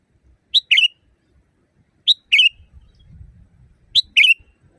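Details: Sooty-headed bulbul singing loudly and naturally, recorded for training caged birds. Three evenly spaced two-note phrases: a short bright note, then a rich, buzzy note with a falling tail. Brief low rumble midway.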